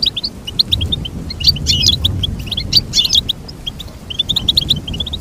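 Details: Goldfinch delivering a bubbling sequence of short, high chirps and buzzy twitters in clustered phrases over low hum.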